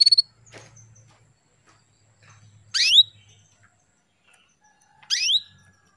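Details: Female canary call used to rouse a male into breeding condition: loud, sharp notes sweeping steeply down from very high pitch, given about every two seconds after an opening quick chirp burst, with a faint low hum.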